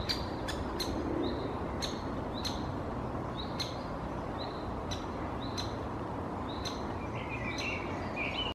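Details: Great spotted woodpecker nestling calling from inside its nest hole in Helsinki, Finland, in June 2021: sharp, high chipping calls repeated about every half second, with a steady low rumble of background noise.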